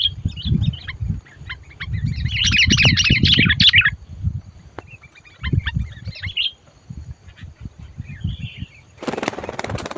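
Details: Sooty-headed bulbul calling while taken out for trapping, said to turn loud and fierce at once; a dense burst of rapid chattering notes mid-clip, scattered chirps, low rumbling handling noise and a harsh rustling burst at the end.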